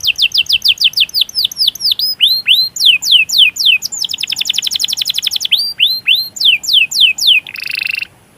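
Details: Canary singing a long roll to provoke other canaries: series of swooping falling whistles alternating with fast trilled runs, closing with a brief buzzy burst.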